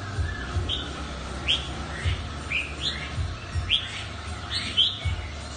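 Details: Mutant red-whiskered bulbul singing: short clear whistled notes and quick upslurred chirps scattered every half second or so, over a constant low rumble.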